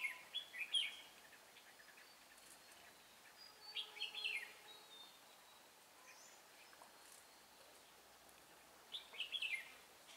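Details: Red-whiskered bulbul, a red-eyed bird used as a decoy during trapping on 23 March 2018. Short, quick warbled phrases come about every four seconds, with faint chirps from other birds.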